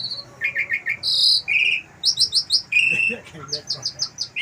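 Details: On a house terrace, an Asian pied starling mixes wild-bird phrases into its song: chirp runs, a harsh high buzz, a flat whistled note, and rapid series of bright high chirps.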